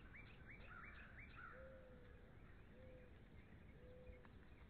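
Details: Pair of bald eagles at NCTC, 13 February 2013: a quick run of five high, hooked chirping notes in the first 1.5 seconds, then three drawn-out lower whistled slurs, over a steady low rumble.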